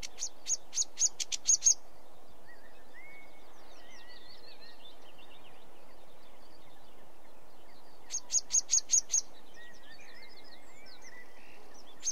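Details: Sedge warbler giving two short bursts of dry, clicking notes several seconds apart. Between them, faint distant whistles from other birds and a soft outdoor hiss can be heard.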